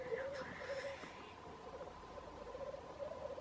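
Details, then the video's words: Black grouse near Wrexham giving a low, continuous bubbling murmur that rises and falls in soft pulses, with a brief hissy burst near the start. "Black Grouse"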